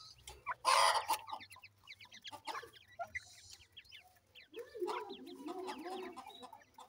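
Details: Grey francolin chicks feeding, starting with a loud rough burst, then quick sharp chirps and a lower churring clucking toward the end, above a faint hum.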